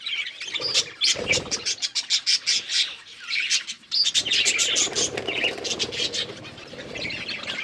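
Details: Several budgerigars eating green food, chattering in dense bursts of short, high chirps and clicks, almost continuous with brief quieter gaps, some rapid scratchy trills mixed in.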